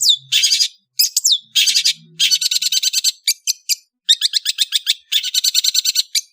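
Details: Indonesian long-tailed bird singing in the afternoon, with long, rapid, rattling chatter of harsh, scratchy notes broken by brief pauses and a few quick whistled slurs, loud and nearly continuous.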